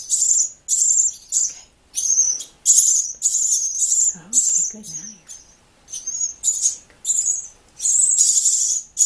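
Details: Three very young rescued nestlings, possibly robins or starlings, begging while hand-fed every 20 minutes: shrill, high, rasping squeals in bursts about one per second, with a brief low human voice.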